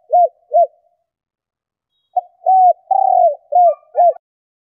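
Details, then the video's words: Spotted dove hen cooing to stimulate males: two arched coos, a pause, then a full phrase of a clipped note, an arched coo, a long purring trill and two more rounded coos. "Tiếng Chim Cu Gáy Mái Kích Bổi Nhanh Gáy"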